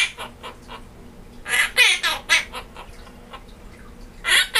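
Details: A pet male monk parakeet sings Jingle Bells at the holidays, remembered from last year, with bursts of harsh, raspy squawks, chatter and laughing mixed into the mimicked tune.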